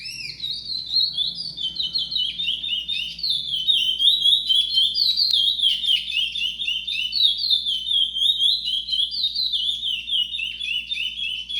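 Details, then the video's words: Chestnut-bellied seed finch singing the trovoada style, a continuous rapid warbling of high chirped and slurred notes, steady and unbroken throughout, with a faint low hum underneath. "Curió Pardo TROVOADA"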